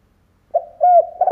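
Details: Spotted dove decoy calling to entice wild doves: a brief soft hoot followed by a sustained, slightly falling coo. Another note starts just as the recording cuts off.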